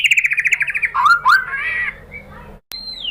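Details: White-rumped shama lure song meant to draw answering song: a quick rattling trill, then a few swooping slurred whistles and a fading warble, ending with a clear falling whistle after a tiny gap.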